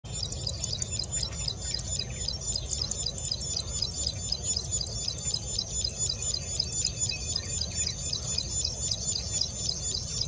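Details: Plain prinia singing on 11 April 2020; fast, repeated high buzzy notes about four per second, steady and insect-like, with a constant high whine and low rumbling background noise.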